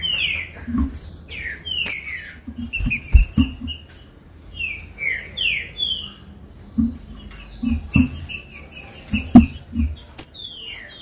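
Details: Captive green-winged saltator stimulation song, made of repeated downward-slurred whistles in short bursts spread across the stretch, with sharp high chirps between them and dull tapping thuds underneath.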